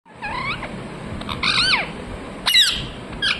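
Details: Parrot chirping: harmonic-rich notes rising then falling, a short series near the start, a louder burst mid-clip and a sharp squawk later, over a steady low hum.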